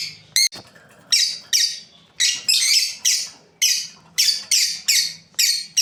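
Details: A pair of breeding lovebirds giving repeated loud, raspy chirps roughly every half second, one short sharp click-like note near the start.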